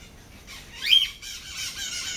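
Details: A pair of white-eyed parakeets at Lagoa da Conceição, Ilha de Santa Catarina, in the Atlantic Forest. One loud, harsh, rising-then-falling screech stands out, followed by softer raspy chatter.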